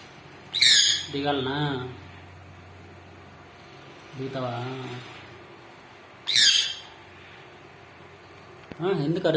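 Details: Pet sun conure parrot seemingly asking for something: two piercing, harsh screeches about six seconds apart, with a person talking in between and again at the end.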